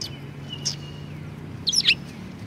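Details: Brief cluster of sharp, high twittering from sparrows at a Tenmangu shrine in February 2020, following a faint thin whistle and a steady low hum.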